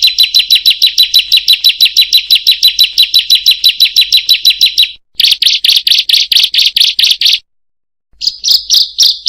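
A Bar-winged Prinia gives a fast, high, scratchy string of 'kriek' notes, about six a second, then shorter bursts after brief pauses. No other sounds.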